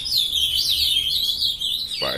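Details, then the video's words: Young captive-bred ultramarine grosbeaks singing a continuous warbled, wavering song, steady and loud throughout, ending with a brief lower sound. "filhotada de azulão mandando ver"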